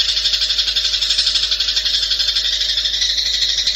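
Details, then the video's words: Long-tailed shrike in a fast 'speed' masteran (tutor song for training cage birds), with unusual 'tembakan' bursts: a dense, harsh, high-pitched buzzing rattle, pulsing steadily about four times per second throughout, with no other sounds. "Masteran cendet, speed jossssss"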